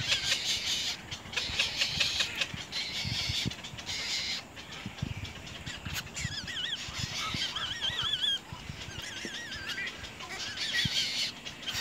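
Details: Nestling little egrets biting their mother hard; a hissing, rasping stretch gives way to several wavering, quavering calls in the second half.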